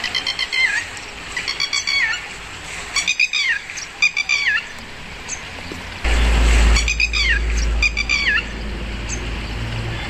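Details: Red-wattled lapwing calling: loud, sharp repeated notes in rapid bursts of three to four, each note dropping in pitch, recurring every second or so, over steady low rumble with a louder noise surge midway.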